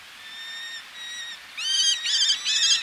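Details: Eleonora's falcon male calling close up, with females calling from ledges and sea in the background: two drawn-out, level, nasal whistled notes, then three louder, harsher, arched calls in quick succession over soft steady surf.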